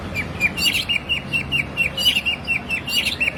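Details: Repeated high chirping notes from a white-rumped shama, about two to three per second and steady throughout, used for schooling captive birds to sing.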